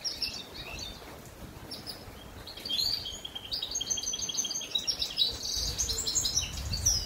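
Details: Goldfinch mule singing on a rainy day: after a quieter opening, a lively run of high, twittering notes and short trills starts near the third second and continues to the end over a soft background hiss.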